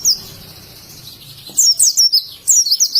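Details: Oriental white-eye, an Indonesian bird singing in forest style; after faint background noise, two quick bursts of high, sharp slurred whistles, each of four or five rapid notes.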